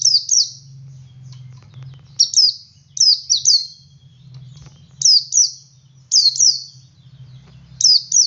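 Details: Male Oriental white-eye in ngalas singing to prompt others: repeated pairs of high, piercing, falling whistles, about every second, set over a soft low hum.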